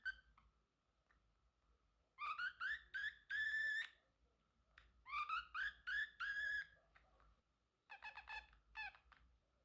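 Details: Male Pacific parrotlet in a home, singing, chirping and talking: three bursts of rapid rising chirps, each ending in a longer held squeaky note, then a quicker stuttering run near the end.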